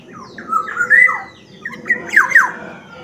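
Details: Sumbawa black-naped oriole in vigorous gacor song: fluty whistled notes with rising and falling slurs, given as two short phrases split by a half-second pause, the second ending in sharp downward-sliding whistles.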